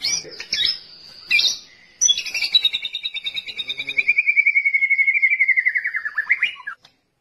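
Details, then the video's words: White-rumped shama singing, its song used as a training model for other songbirds: a few high, sharp notes, then a long rapid buzzy trill that slowly falls in pitch and ends in a short twist. "Burung Murai Cocok Buat Masteran"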